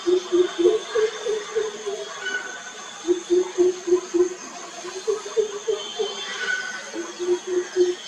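A greater coucal gives deep, hollow booming hoots in quick runs of six to eight, pausing between bouts, over a faint background hiss.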